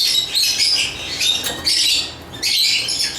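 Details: Lovebirds twitter in a bright, high stream of squeaks, easing into a quieter stretch before a fresh burst of chirping near the end.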